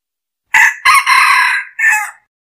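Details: Red junglefowl decoy bird giving a lure crow: four loud, harsh, ringing syllables in quick succession, the third drawn out longest, the last short and clipped, in a clean recording without background sounds.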